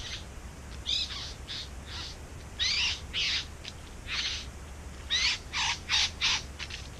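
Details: Singing bowerbird near its nest in a back yard: a series of harsh, buzzy, churring rasps, some with a slurred whistled edge, delivered in irregular bursts about half a second apart.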